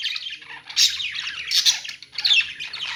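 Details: Budgerigars chirping in a pet store: overlapping warbled chatter and scratchy squawks from several birds, with louder bursts near one and one and a half seconds and again after two seconds.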